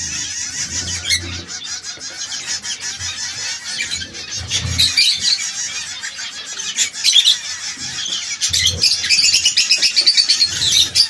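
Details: A trio of domestic canaries, red, yellow and brown, that now and then quarrel. They give a fast, high, rattling twitter with twittering trills that rise in intensity toward the end, over a low murmur.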